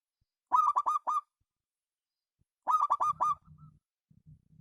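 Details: Local zebra dove giving two quick bursts of staccato, rolling coos, each of about five notes, two seconds apart, followed by faint low rumbling noise.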